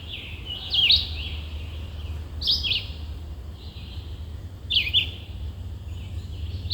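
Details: A male red-eyed vireo sings short, slurred, whistled phrases spaced about two seconds apart from woods on May 18, peak spring migration, over a low steady rumble.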